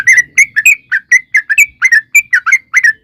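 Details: Lure recording of a sooty-headed bulbul to provoke singing: rapid chain of mellow, bubbly whistled notes, paired and slurred downward, delivered about three per second without pause.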